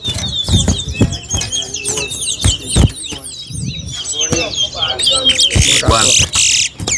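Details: Chestnut-bellied seed finch, locally called towa towa, singing in a bird race competition at Alligator Park; rapid whistled and twittering phrases repeat quickly while a man counts aloud, with dull thumps and other voices nearby.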